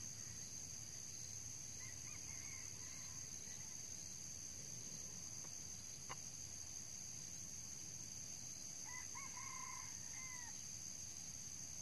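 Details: Two short, clear crows of a red junglefowl, several seconds apart, heard while the bird is lured with a decoy and an old cock gets spurred; continuous shrill insect hum and a single sharp click between the calls.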